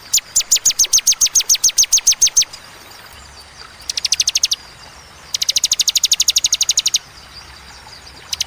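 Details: Bar-winged prinia of the ciwah cigun kind singing 'tembakan' bursts described as fierce, sharp and clear with pauses. Three rapid trills of high repeated notes are separated by short silences, the first longest at about two and a half seconds.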